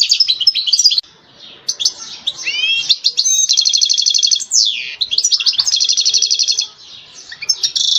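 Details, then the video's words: Goldfinch mating song for stimulating a female ready to breed: twittering phrases, a quiet gap, rising slurred whistles, then long fast metallic trills and sharp chips, with short pauses between bursts. "نداء التزاوج أفضل تغريد للحسون لتحفيز أي أنثى جاهزة للتزاوج"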